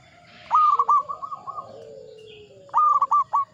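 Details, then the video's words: Zebra dove, local type, singing its Mataram 'ngepat' rhythm song: a loud coo then a softer series of quick notes, and a fresh phrase starts near the end, over faint lower cooing. "Perkutut lokal gacor IRAMA NGEPAT MATARAM"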